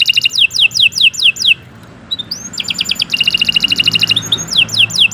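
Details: Canary singing non-stop: series of quick downward-sweeping whistled notes, a brief pause, then fast repeated chip trills and more descending sweeps, with a low hum beneath.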